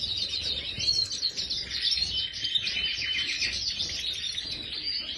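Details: European goldfinch, a 'Major' bird kept in an aviary, singing continuously: dense, rapid twittering and tinkling phrases, high and bright, with buzzy trills running throughout without pause.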